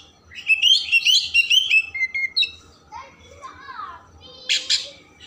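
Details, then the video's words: Oriental magpie-robin song used to provoke emotion and tail opening: rapid bright twittering trill, then lower descending slurred notes and a final harsh burst, with a low hum in the background. "Kacer Gacor Isian Mewah Merangsang/Perangsang Emosi Buka Ekor"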